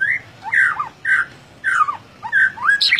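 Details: White-rumped shama, gacor ngeplong style, giving loud slurred whistles that drop in pitch, repeated roughly every half second, with a buzzy flourish at the end.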